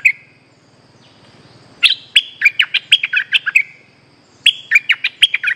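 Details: Lure call of a bulbul, played to recapture an escaped bird: a single chirp, a pause, then two bursts of rapid, bright, bubbling chirps, each about a second long, over steady low background hum.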